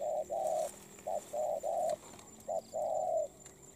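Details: Molting wild-caught spotted dove, praised for a good voice and fluent cooing, gives low hollow coos in rapid phrases, a short note followed by one or two longer ones, repeated three times with little pause.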